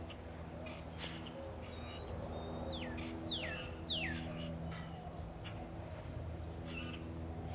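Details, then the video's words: In February 2009, a northern cardinal in a backyard tree in Katy, Texas, sings a short run of loud, clear whistles slurring steeply downward, over a steady low rumble and a few faint chips from other birds. "Northern Cardinal Song"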